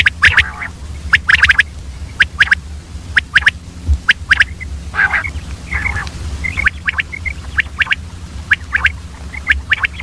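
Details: Female common quail in the early morning, giving scattered sharp clicking chips and a few short buzzy notes, some in quick doubles, over a constant low background hum.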